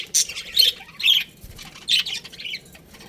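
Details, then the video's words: Budgerigars in a colony giving a few loud, harsh high squawks in separate bursts about every half second, with quiet between. "Cute Budgies Chirping Sounds"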